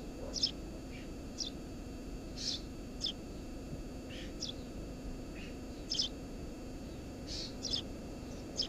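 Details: Eurasian tree sparrow breeding under the roof of a house: spaced, bright chirping notes, some slurred downward, scattered across several seconds, with a low steady hum behind.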